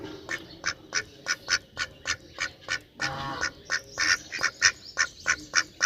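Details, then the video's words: Evenly spaced, nasal duck quacks repeat about every third of a second, steady and rhythmic, with a burst of denser calling in the middle. "Duck Quack Quack Cute Sound || Quacking Sound Of Duck || Ducks Quack Quack Loud Sound"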